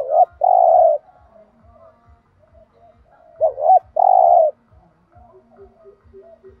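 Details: Spotted dove cooing, used as a decoy call to provoke other doves into calling: low, hoarse coos in short bursts, one with a quick double lead-in note, over a steady soft ticking beat and faint other sounds.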